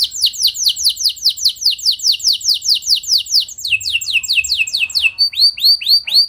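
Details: Canary long-rolling song to provoke rival canaries into singing; clear descending whistles repeated about twice per second, changing to a brighter faster series, then short rising chirps.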